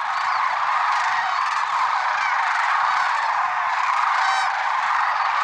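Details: Many lesser sandhill cranes calling together at dawn in February 2023 at Merced National Wildlife Refuge; thick layered chorus of trumpeting notes, with a few clearer rising calls standing out above the mass.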